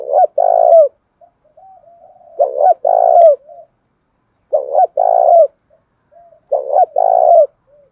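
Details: Spotted dove giving a calling coo, a lure meant to draw wild doves in fast and push them to fight. Four two-part coos, a short stutter then a longer rolling note, come roughly every two seconds. Quiet murmuring fills the gaps.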